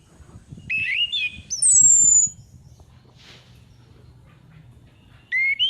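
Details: Lure sound of a female orange-headed thrush: two short warbled whistles, then a loud, piercing high whistle slurring downward, a long pause, and another brief whistled phrase to close.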